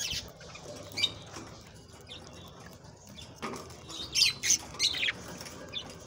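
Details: Budgerigars in song to prompt breeding: sparse high chirps early, then a cluster of loud scratchy squawks and chatter near the end over a quiet hiss.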